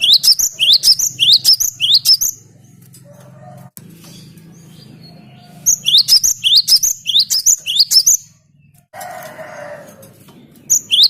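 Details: Cinereous tit singing a lure song: two bursts of rapid, repeated rising whistles, each about eight notes, separated by a pause filled with low droning hum and a brief harsher noise.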